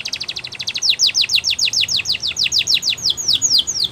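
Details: Canary song meant for training: a long, even sequence of fast downward-sweeping whistled notes, slowing slightly midway, bright, high and continuous for four seconds.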